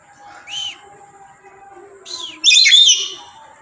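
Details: Pet black-capped lory, tame and chatty, gives two short arched whistled notes about one and a half seconds apart, then a loud, rasping, harmonic-rich squawk lasting half a second, over faint steady background tones.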